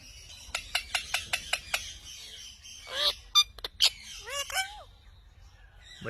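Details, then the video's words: Talking Indian ringneck parrot: six crisp clicks in even rhythm, then loud harsh squawks and several curved, falling whistled notes before a quieter close. "Funny Talking Indian Ringneck Parrot"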